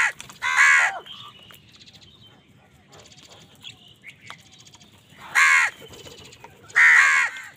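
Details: Crows quarrelling with wild birds over food: one harsh caw, a quiet stretch of chattering and twittering from smaller birds, then two more rasping caws close together.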